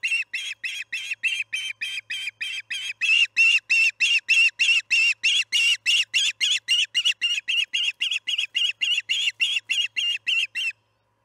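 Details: Osprey calling at the Charlo nest at evening feeding time, 6 pm MDT on July 9, 2019. A long, insistent run of sharp whistled chirps, roughly three or four per second, grows louder midway, then stops abruptly near the end.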